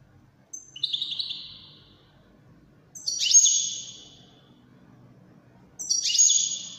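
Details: Wedani-style European goldfinch song given as three separate high phrases, each a sharp descending burst trailing into a buzzy twitter, spaced about every two and a half seconds, with faint low background hum.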